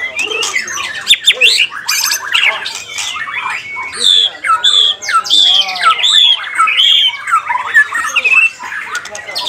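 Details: White-rumped shama singing in a contest, a fast, varied run of loud whistled notes and rising and falling slurs, with short trills, dense and continuous throughout; a clap and other bird voices are in the background.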